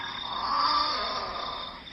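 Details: A little (fairy) penguin, the smallest penguin at about a foot tall, gives a harsh, rasping, snore-like call: one steady, throaty note held about two seconds with a nasal, buzzy edge.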